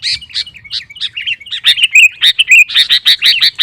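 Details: Sooty-headed bulbul singing hard to provoke other males: loud, liquid, whistled phrases that quicken into a fast, chattering burst of rapid repeated notes, about two per second at first.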